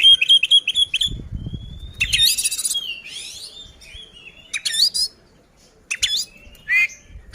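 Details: Oriental magpie-robin in loud, full fighting song, used as a lure to provoke other magpie-robins: high thin whistles and long slurred notes alternate with harsh, buzzy rattling bursts and rising trilled phrases, with a few low thumps early on.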